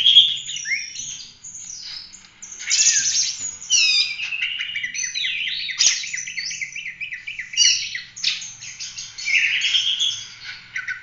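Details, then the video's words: Oriental magpie-robin singing in a full-roll 'tembak' style, used as a master recording for tutoring other birds. A continuous, varied run of high whistled and buzzy phrases, with rapid rising and falling slurs and trills and few pauses. "Kacer gacor ful roll tembak cocok buat masteran"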